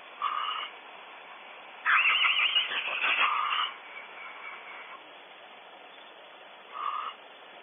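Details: Barn owl at its nest cavity at Audubon Starr Ranch, California, during an unwelcome visitor: short raspy calls, then a loud, harsh, buzzing burst of about one and a half seconds, followed by another brief rasp, over steady background hiss.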